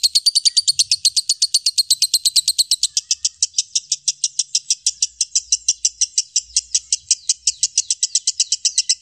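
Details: Loud lovebird chattering used to tutor murai batu, kacer and lovebirds: a dense rattle of piercing chips that loosens slightly after three seconds but keeps going without a break.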